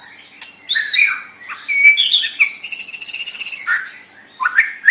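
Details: White-rumped shama (murai batu) song from a masteran track meant to help kept songbirds sing eagerly: scratchy chirps and short whistles, then a rapid buzzy trill of about a dozen notes, followed by more varied phrases.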